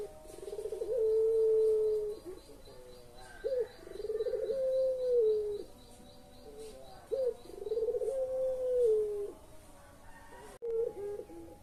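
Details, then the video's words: Collared dove of the pelung type, played to lure silent or lazy birds into calling: a rolling, quivering start that swells into a long, steady, drawn-out coo, then drops at the end. Three such coos follow one another, with faint background hiss. "SUARA BURUNG PUTER PELUNG"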